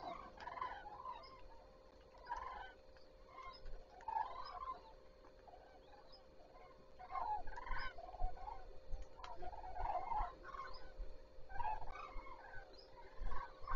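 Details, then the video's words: Morning calling of common cranes at Zastawie reservoir, 14 September 2023: repeated bursts of trumpeting from a flock, every couple of seconds, over a steady electrical-sounding hum. "Żurawie zaczynają dzień"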